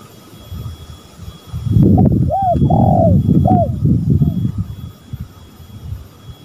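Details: Spotted dove from a lure recording of male and female birds gives a single coo phrase of short notes around a longer burred coo, half buried under loud low rumbling noise.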